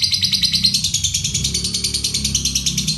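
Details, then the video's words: Lovebird of fighter type in ngekek konslet style, kept to lure and tutor other songbirds, pouring out a steady rapid trill of high, scratchy chattering notes, about three per second, with faint low background tones. "Lovebird fighter ngekek konslet untuk pancingan & masteran segala burung kicau"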